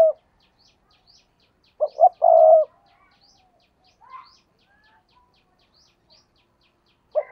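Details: Low dove cooing from a spotted dove used to lure wild doves: one complete phrase of two short notes and a long steady coo, with partial phrases at the start and end. Faint bird chirps fill the pause.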